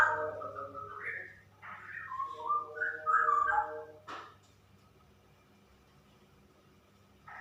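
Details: Straw-headed bulbul, a female in 'super ropel' song. It gives a continuous jumble of mellow, warbling whistled phrases for nearly four seconds, then goes quiet apart from a brief note at the end.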